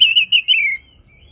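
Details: Brief masteran phrase from an Oriental magpie-robin (kacer), meant for morning and evening: four fast slurred whistles, then a softly falling tail note, then quiet.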